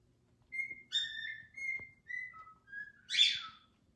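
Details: Morning song from a six-year-old male pied cockatiel kept as a pet: a run of clear whistled notes, some flat, some stepping up or down, about six phrases in four seconds, ending in a loud, harsh screech.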